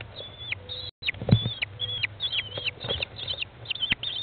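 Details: American kestrel feeding chicks at day 15 in a nest box, 20 May 2011, early afternoon; a near-continuous run of high, sliding whine calls, each ending in a downward flick, over scuffling and knocks.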